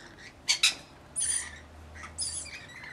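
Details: Rainbow lorikeets, part of a flock of about 40 looking after a single baby; two sharp harsh screeches, then longer buzzy, grating squawks with a thin high whine.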